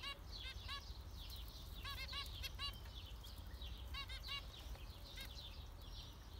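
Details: Lively zebra finch calling: many bright, nasal trumpet-like beeps, often in pairs or clusters, stand out over soft high twittering and low background noise.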